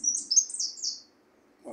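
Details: A white goldfinch in song training sings a quick, high, tinkling twitter of sliding notes lasting about a second.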